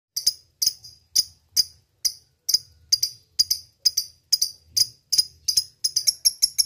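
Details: Lovebird calling a rival. Sharp, high chirps are repeated about twice a second in an uneven rhythm, each a short bright note. The calls quicken and crowd together near the end. No other sounds are heard.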